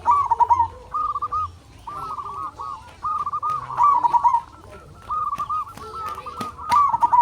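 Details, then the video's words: Zebra doves from a local lure recording to set other doves singing: groups of bubbly, pulsed coo phrases separated by short pauses, with several birds overlapping and faint clicks in the background. "Perkutut Lokal Gacor RAJA PIKAT Ahlinya Bikin Semua Burung Perkutut Gacor Nyaut"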